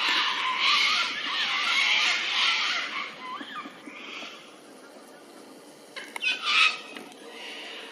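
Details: One of a pair of lyrebirds at Doongalla, near a picnic area by the road, gives loud, rich, varied phrases for a few seconds, then a quieter stretch and a sharp ringing burst; an arriving car disturbed the birds.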